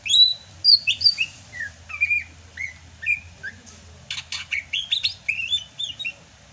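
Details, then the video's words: Sumatran greater green leafbird singing vigorously in the rainy season: descending whistled notes repeated at a quick pace, followed by a rapid rattle of clicks and bright chirps. "MUSIM HUJAN CUCAK HIJAU SUMATRA MASIH BISA GACOR"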